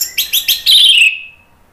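An orange-headed thrush gives four quick, bright chirps, then a longer, loud whistled note that slides downward and fades, all in under two seconds.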